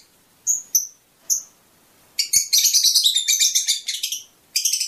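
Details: Fischer's lovebird song, said to encourage mating: three separate sharp, high chirps, then a fast, rasping, twittering burst lasting about two seconds and a final shrill chirp.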